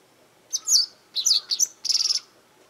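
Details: Japanese wagtail seen from a garden, calling repeatedly: a sharp two-part chirp, then a tight cluster of squeaky notes, then a rapid buzzy trill of about six pulses.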